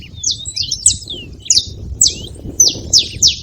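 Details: Free-living saffron finches making noise at a seed feeding spot: scattered high, sharp chirps with quick downward sweeps, loose and irregular, over a low background rumble.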